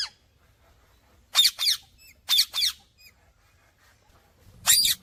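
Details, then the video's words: Parrot making paired, scratchy chirps separated by pauses, with faint short squeaks between. A final harsh chirp closes the recording. "Talking Parrot Chirping Sounds"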